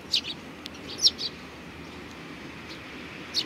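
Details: At a Tenmangu shrine on 4 July 2019, sparrows give a few scattered high chirps, including a brief cluster near the start and a lone note at the end, over quiet background noise.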